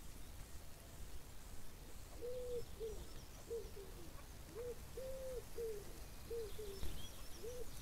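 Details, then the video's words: Chukar partridge call: a run of about ten hoarse, arched chuck notes, alternating longer and clipped sounds at a fairly even pace, over soft outdoor noise with faint, thin bird chirps above. "Πέρδικες / Alectoris chukar"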